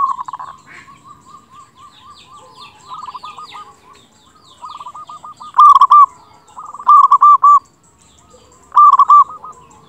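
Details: Local zebra dove in full loud song, used as a tutor recording to stir quiet doves into singing: three loud bursts of rapid stuttering coos in the second half, with fainter cooing phrases from other doves throughout.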